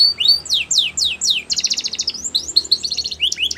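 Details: Wild canary song made of fast descending whistled sweeps, then a buzzy rattling trill and more rising notes in quick succession.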